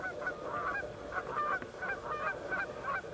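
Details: Canada geese honk loudly and repeatedly, harsh overlapping calls several times a second, as two geese fight after about ten minutes tangled together and three other geese and two loons come to separate them on water.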